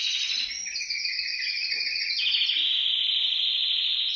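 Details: Canary song to prompt canaries to sing, with layered rapid trills that step down in pitch, then a long steady rolling trill.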